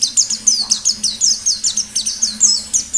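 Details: Caged white-eye in lively, rapid song used as a lure for other birds: high thin descending whistled notes repeated about every quarter second in a steady series, with a faint low hum underneath.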